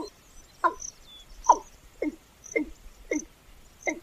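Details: Watercock calling, the breeding male's liquid gulping voice likened to a water bottle emptying: short throaty hollow notes repeated about twice a second, with faint high chirps in the background.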